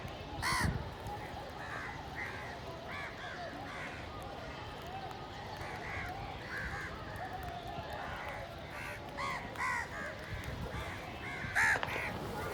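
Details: Village crows squabbling for food, a flock calling repeatedly with short, hoarse caws overlapping in a steady chorus. Sharper, louder caws break in at the start and near the end over rumbling background noise.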